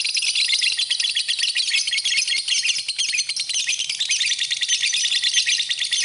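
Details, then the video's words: Lovebird song from a tutor recording made for training birds: dense, rapid, high-pitched chattering and squeaky trills, continuous and unbroken throughout, with no other clear sounds. "Kicauan Burung, Love Bird, Masteran Love Bird"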